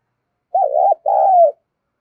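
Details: Spotted dove calling to stimulate other doves: a single clear, low, two-note coo, the opening note slightly tremulous and the second longer and gently falling, with no other sounds.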